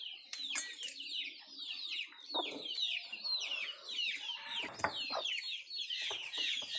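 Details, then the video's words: Feeding country chickens produce a busy mix of high falling cheeps and occasional harsher notes, with scattered clicks and thuds of pecking at the food. "Nattu kozhi Food eating and sound effect"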